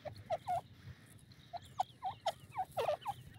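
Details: Grey francolin calling: short squeaky rising-then-falling notes, single or paired, repeated irregularly, over a low steady hum.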